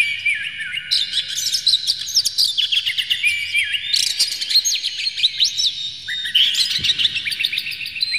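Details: Oriental magpie-robin song used to rouse a bird into emotional singing: dense, fast run of sweeping whistles, trills and harsh notes, continuous and loud throughout.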